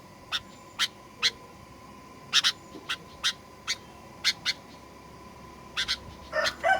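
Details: Sooty-headed bulbul, 'gacor fighter' lure recording for provoking aggressive song: sharp single and paired chirps at uneven intervals, ending in a louder burst of mixed, fuller notes, with a constant low hum beneath.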